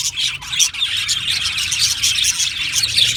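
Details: Aviary colony of Australian budgies chirping together: a thick, shrill wall of overlapping tweets and short warbled notes running continuously through the whole stretch.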